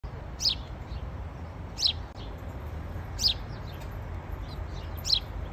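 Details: A sparrow seen up close outside a shop gives four short, bright chirps, one about every one and a half seconds, over a low background rumble.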